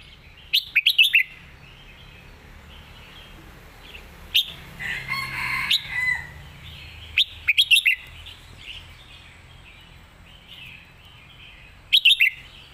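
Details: Red-whiskered bulbul competition song: short bursts of quick whistled notes near the start, around 7.5 seconds and at the end, mixed with a louder, harsher call from another bird in the middle and steady background chatter.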